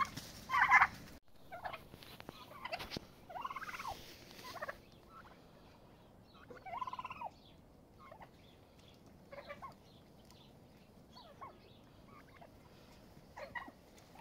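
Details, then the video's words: Turkeys fighting to set a pecking order; a loud rattling gobble opens, followed by scattered softer gobbles and short descending yelps over several seconds amid scuffling noise. "Turkeys fighting"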